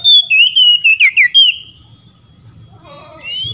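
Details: Oriental magpie-robin calling out to rival magpie-robins, which answer: a burst of loud, clear whistled notes sliding down and looping, about eight phrases in under two seconds, then a quieter distant whistled reply.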